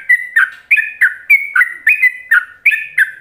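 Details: Ropelan-style song of a yellow-vented bulbul, recorded as a teaching song for other bulbuls: loud, bubbly whistled phrases that jump between two pitches, repeated rapidly and evenly, roughly three per second, in a clean recording.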